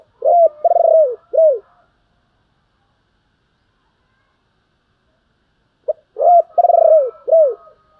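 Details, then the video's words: Spotted dove giving its lure call to draw in other doves: two matching phrases of three deep, mellow coos, with a long throbbing middle note, separated by about four seconds of silence. "cu gay kich boi nhanh noi/ gáy gọi cực đỉnh"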